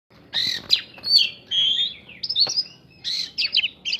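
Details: Oriental magpie-robin singing to provoke other birds into responding, its song filled with prinia-style phrases: clear, varied whistles, sliding notes and sharp chirps in short bursts with brief pauses.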